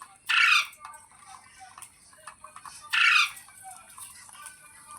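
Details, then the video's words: Parrot giving two loud, harsh, broadband squawks about two and a half seconds apart, with faint chatter and clicks between them. "Parrot Sounds Videos Compilation | Mitthu Ki Awaaz"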